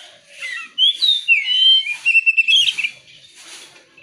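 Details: Oriental magpie-robin song played as a lure to draw other birds into song: loud, clear whistled phrases, rising and falling sweeps followed by rapid repeated bright notes, then fading softer chatter.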